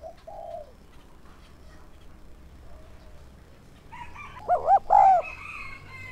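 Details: A spotted dove kept as a decoy for wild doves gives soft coos, then one loud two-note-plus-long-coo phrase near the end over steady background hiss.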